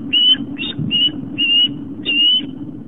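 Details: Osprey at a nest on Long Island, New York, filmed by a nest camera on the afternoon of September 11, 2007 during a fish delivery; five loud, clear, level whistled notes, each about a quarter second long, over a faint hum.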